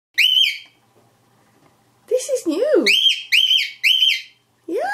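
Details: Seven-month-old grey cockatiel, aviary raised for six months, attempting speech indoors for the first time beyond its usual morning whistles; high clear whistled notes with rising-falling contours, then lower warbling voice-like phrases, a woman's voice nearby.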